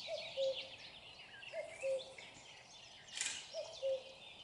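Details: Common cuckoo heard close by, giving three evenly spaced, mellow two-note cuckoo calls, falling from first to second note, while various songbirds chirp and warble behind it.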